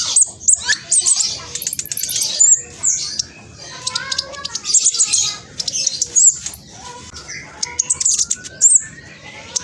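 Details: East Java, Indonesia: a young spotted black sunbird delivers quick, scratchy, high twittering phrases with sharp whistled accents, meant to goad other sunbirds into answering; brief pauses separate the bursts.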